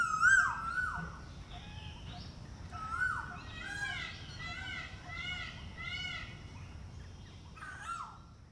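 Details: Male Asian koel calling in spring on the outskirts of New Delhi: loud, clear two-part whistled notes repeated roughly every second, climbing higher with each repeat, then breaking off; faint background chirps.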